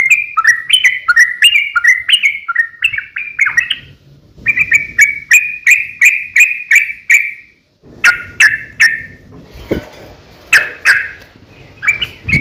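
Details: Fighting song of a sooty-headed bulbul, meant as a lure to make other bulbuls reply: quick bursts of rich, gurgling, up-and-down notes in repeated phrases, broken by short gaps and some clicks and knocks.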